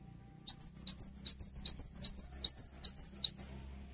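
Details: Vigorous Cinereous tit song to encourage other tits to sing; a rhythmic series of about nine high ringing two-note phrases at a steady pace over a faint low rumble.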